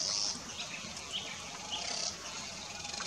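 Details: Satin bowerbird singing from trees in an Australian backyard garden while others feed, 12 August 2018: two high buzzy hissing bursts about two seconds apart, a couple of thin chirps between, soft outdoor hiss.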